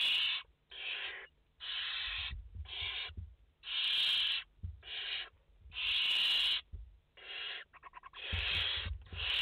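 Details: Barn owl nest holding five chicks, seen live on 29 August 2021: a fast, uneven series of about a dozen raspy snoring hisses, some short and some long, with a brief rattling stutter near the end.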